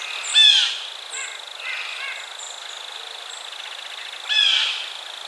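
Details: Blue jay gives two loud, harsh, high calls about four seconds apart, with softer rapid rattling notes between them and faint chirps in the background.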